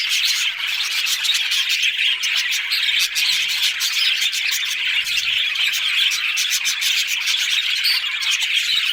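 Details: Budgerigars in constant chatter, rapid clicking chirps and buzzy warbled notes layered thickly throughout without a break.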